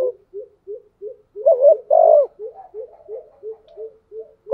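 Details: Decoy spotted dove in thunder-voice style during the rainy, windy season: a run of soft, rapid low notes repeated about twice a second, broken by louder rising coos midway.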